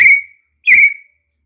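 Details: Partridge, named in Thai as nok mae katha dong: two loud, clear whistled notes, each a short flat whistle with a faint slide, about 0.6 seconds apart, in quiet surroundings.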